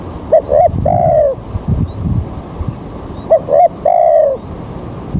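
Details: Spotted dove used as a lure for bird trapping, recorded early in the morning with rain about to fall: two short coos followed by a longer drawn-out falling coo, phrase repeated after about three seconds, with low rumbling in the background.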